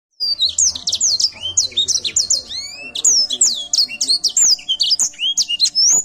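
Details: Edel sanger canary singing vigorously: a fast, continuous run of high, sweeping whistled notes and rapid trills, many slurred up and down, packed densely with barely any pause.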